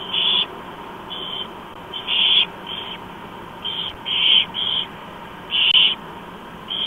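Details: Four barn owl chicks beg with harsh, rasping hisses in uneven bursts of about half a second, several overlapping, as a parent feeds them at breakfast, 07:29 on 28 October 2015 in Chula Vista, USA, over a low, steady hum.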